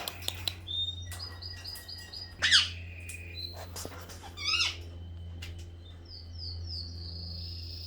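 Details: Pet budgerigar in a garden, filmed 4 September 2014: short squawky harmonic chirps and bright whistled notes scattered over eight seconds, with other thin whistles, a steady low hum and a woman talking softly.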